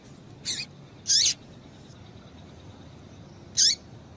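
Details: Female double-collared seedeater calling to excite a male. Three high, clipped notes sound, two close together near the start and one more after a pause of over two seconds, against quiet hiss.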